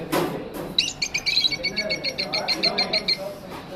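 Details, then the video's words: Lovebird chirping: a quick run of about fourteen short, bright, evenly spaced chirps lasting around two seconds, with a few softer notes before and after over a faint room background. "Lovebird Singing & Chirping Sounds"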